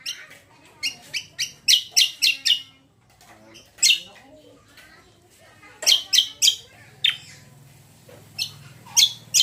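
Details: ['Leafbird lure song to set other birds singing: clustered bursts of quick, piercing high chirps broken by pauses, with a low steady hum near the end.']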